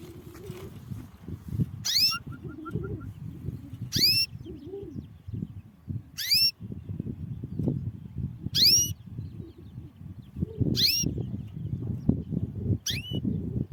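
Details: Female canary calling to bring males into breeding condition. Thin, rising whistled notes come roughly every two seconds, six in all, over constant low rumbling and murmuring background noise.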